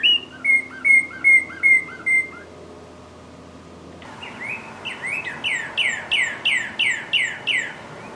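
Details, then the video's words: Northern cardinal singing two phrases: first a string of six looping whistled notes, then after a pause a faster series of rising, ringing slurs repeated about twice a second. "Sound of Northern Cardinal"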